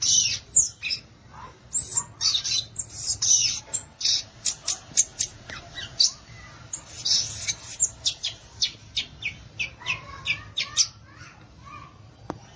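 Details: Violaceous euphonia singing a long, fast chatter of sharp clicking and crackling high notes, several per second, broken by brief pauses and a few lower warbled slurs near the end.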